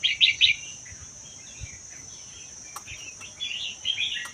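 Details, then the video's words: Red-whiskered bulbul, wild-caught from the Vietnam–Laos forests and kept caged for a year, its song described as 80% doubled, played to spur other bulbuls; three loud chirpy phrases open, then faint warbling under a steady high whine. "นกกรงหัวจุกป่าเวียดลาว ชำใว้1ปี เบิ้ล80% เปิดกระตุ้นนกฟังนกร้อง"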